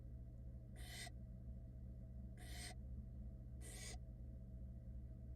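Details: Florida barn owl chicks, hatched February 2022, react to their wet mother at the nest with three loud, broadband screeching hisses about 1.5 seconds apart, backed by steady low droning hum.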